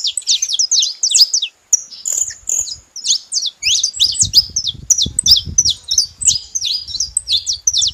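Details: Saffron finches together, high-pitched chirps and zigzag twitters in quick succession, broken by a brief gap near the start, then resuming densely over low background rumble.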